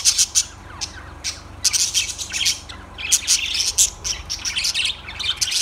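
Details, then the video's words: Lovebirds chattering in a dense stream of shrill, high chirps and short squeaky notes, bursts overlapping almost without pause, with a faint low hum underneath. "Lovebirds Sounds Birds Singing"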